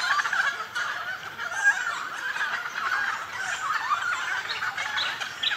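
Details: A noisy chorus of dozens of Noisy Friarbirds in Goldfields bush near Whroo, Victoria, Australia: raucous, harsh, mid-pitched cackling and chuckling calls overlapping without pause, dominating the bush sounds, loud enough to drown out other birds.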